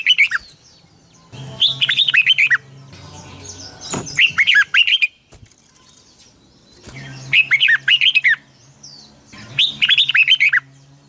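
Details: Captive red-whiskered bulbul singing a long, twisting double-voiced morning song used to train other birds: bursts of rapid warbled, slurred notes roughly a second long, repeated about every three seconds, with a faint low hum and a brief knock.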